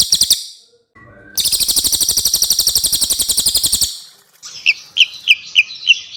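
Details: Javan white-eye and mugimaki flycatcher song combined for tutoring cage songbirds: a short high trill, a long rapid buzzy trill of about two and a half seconds, then spaced sharp whistled chips.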